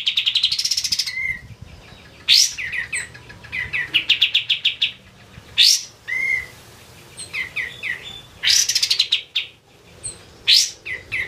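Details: White-eye, locally kapas tembak, singing eagerly for use as a master track: high trills mixed with clusters of quick chirps and downslurred whistled notes, recurring in varied phrases throughout.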